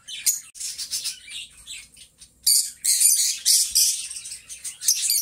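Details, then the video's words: Pet lovebirds, two friends, singing and talking: scattered shrill chirps and raspy squeaks at first, swelling after two seconds into louder, continuous high-pitched chattering. "2 Hours of Lovebird Sounds"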